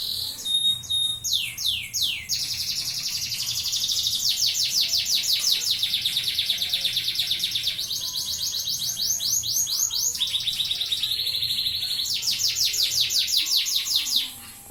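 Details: Canary singing at night: long fast trills of repeated high notes, rapid rattling phrases that switch pitch and speed, with sweeping whistled notes at the start; continuous bright song with no other clear sounds.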